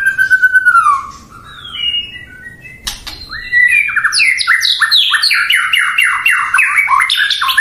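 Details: White-rumped shama (murai batu) song meant to provoke rival birds: a falling whistle and a sharp click, then a fast chain of loud descending notes.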